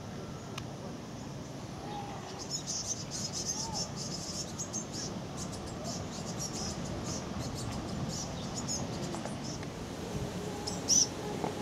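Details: Azure tit from a small flock on a Siberian riverbank giving thin, very high chirps in loose scattered bursts, with one clearer note near the end, over a steady low outdoor rumble and hiss.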